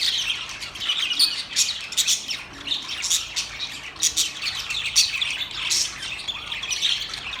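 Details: A group of singing budgerigars keeps up a steady stream of high chirps, squawks and warbles, with louder peaks coming roughly every second.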